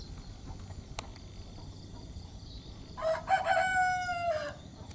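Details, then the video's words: Broiler rooster, one of two broilers kept as breeding males in a hamlet, crowing once: a hoarse, harmonic crow lasting about a second and a half that sags slightly in pitch toward its end, after a quiet stretch with a single sharp click. "Ternyata begini suara ayam jantan broiler berkokok | Broiler rooster crowing"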